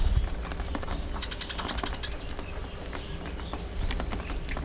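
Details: Budgerigars in a breeding colony: a quick run of bright, evenly spaced high chirps lasting under a second, then scattered softer twitters over a rumbling low background.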